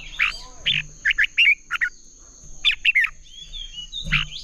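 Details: Red-whiskered bulbul in Vietnamese competitive singing (hót đấu) for training caged birds: lively repeated phrases of loud, slurred whistles, several notes per second with short pauses between, faint low thumps and a continuous high-pitched whine underneath.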